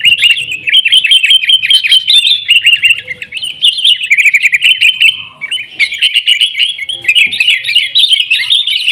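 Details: Dense, noisy sooty-headed bulbul song meant to coax caged bulbuls into singing: nine seconds of tumbling, cheerful chirps and rolling warbles, nearly unbroken, with a brief dip around five seconds.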